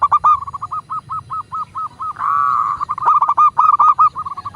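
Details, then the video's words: Local zebra dove, kept for training other doves to sing, giving a long run of quick, clipped cooing notes at even pitch, briefly broken by a smoother drawn-out tone midway, then resuming the rapid staccato series. "Perkutut lokal gacor pancingan agar burung perkutut cepat GACOR dan BUNYI"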